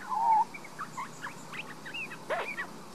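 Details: Young resident Australian magpie in a garden in Queensland, Australia, recorded with a Panasonic Lumix DMC LX7 camera; opens with a clear sustained whistle, then a string of soft, quick, bending warbled notes.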